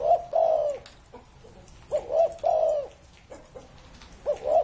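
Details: Spotted dove over thirty years old sings low, hollow coos: a long coo, then a two-part phrase of short notes and a sustained coo, with another phrase beginning at the end.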